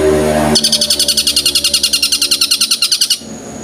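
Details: Long-tailed shrike singing strongly, imitating the tengkek buto: one long, unbroken rattle of rapid, harsh, regularly pulsed notes lasting over two seconds, after a brief low hum.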